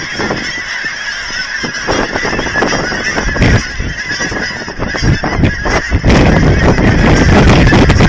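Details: A massive flock of geese being fed at an aquatic center in Hereford, Texas; rapid, overlapping honks at roughly three per second build into a louder, denser din in the final two seconds, with heavy low rumble.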